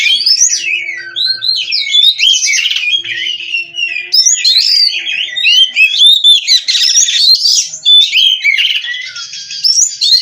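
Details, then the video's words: Kacer, the Oriental magpie-robin, a captive-bred Cirebon bird singing without a break: a long, varied medley of sharp whistled slurs, warbles and scratchy buzzes, fast and restless, with a faint low hum beneath. "GACOR NONSTOP!! Rahasia Kacer Bikin Semua Kaget!"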